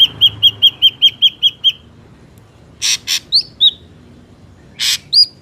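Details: Ashy drongo sound used as a trapping lure: eight quick, clipped whistled notes in an even series, then harsh broadband rasps mixed with short upslurred whistles.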